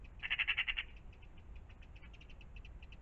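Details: A magpie near a pond in the morning gives one fast, harsh rattle of about eight notes, followed by a trail of soft, spaced ticking notes over low background noise.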